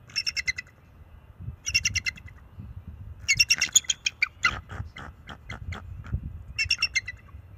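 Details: Nest-cam recording of a young male bald eagle warning an intruding owl away from the nest, March 7, 2024: bursts of shrill piping, staccato notes, the longest run in the middle, separated by brief pauses with low rumble.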